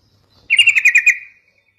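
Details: Sooty-headed bulbul sound used as a lure to make other bulbuls respond: one quick stuttering burst of about seven buzzy pulses, lasting under a second, with a faint low hum behind it.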